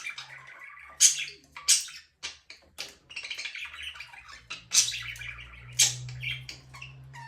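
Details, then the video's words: Pet budgerigar chirping indoors, a run of harsh, buzzy squawks and bright chirps in short bursts, loudest near the first and fifth seconds, with a faint low hum underneath. "budgies parrot chirping sound"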